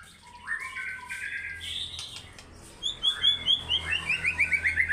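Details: White-rumped shama singing in an energetic fighter style, showing off its learned repertoire: soft whistled phrases at the start, then a loud, fast series of bright rising notes repeated about three times a second toward the end.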